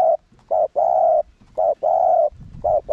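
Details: Spotted dove decoy pushing wild males to coo: rapid alternating short and long coos, mellow and steady, in a dense repeating sequence.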